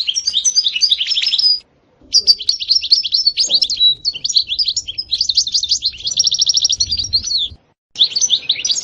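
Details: Goldfinch song, European species, featuring 'sitsita' and 'betbeta' passages called very motivating: dense high twittering phrases broken by two short silences, including a fast even trill near the end.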